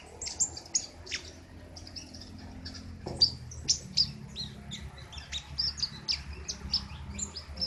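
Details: King konin singing steadily in its sharp, loud besetan style: high, clipped chirps and ticks at an uneven quick pace, with a faint low hum beneath.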